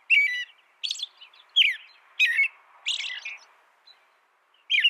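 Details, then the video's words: American robin delivering well-spaced whistled and high, scratchy notes over a soft, steady background hiss, about one phrase per second. "American Robin Bird Sound, Bird Song"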